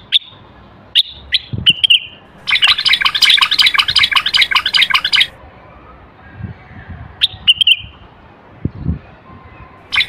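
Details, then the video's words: Common bulbul, a Moroccan male singer, in song meant to stimulate males to sing and prepare females for mating: short clear whistled notes, then a dense buzzy harmonic chatter lasting about three seconds, then more brief whistles. "تغريد البلبل"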